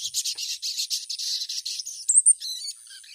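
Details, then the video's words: Female ruby-cheeked sunbird calling to a male: dense, high, thin chattering notes run together for two seconds, then a few sharp, higher squeaky chips and fainter scattered ticks. "SUARA SOGON BETINA MEMANGGIL JANTAN"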